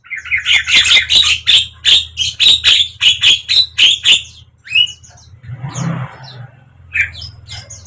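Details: Javan myna song, offered to get a mute bird to open its beak and sing: a steady series of about a dozen loud, harsh, rasping notes over a low electrical hum, then softer scattered calls.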